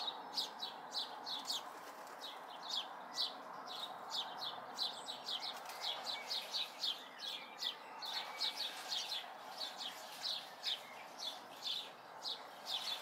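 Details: Local house sparrow fledglings in May 2020 keep up a long, continuous stream of short chirps, almost three per second at times, over steady ambient noise.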